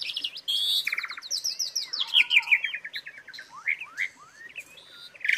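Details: Asian pied starling singing a varied, lively stream of buzzy trills, fast chattering notes and sliding whistles, with the pace easing into scattered upslurred chirps toward the end.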